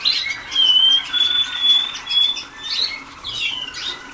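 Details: Waterslager canaries early in song schooling, young birds: a sustained pure whistled note held steadily for about a second and a half, followed by rapid chirpy flourishes.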